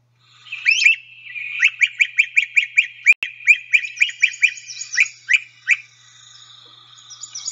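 Great Crested Flycatchers trade loud, sharp, clipped notes in quick bursts of several per second, high and emphatic, with a faint hiss behind.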